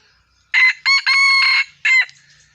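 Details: Gà rường F1 chicken crowing: a loud harsh crow broken into four bursts, the long third one held steady, ending with a short final burst; quiet background.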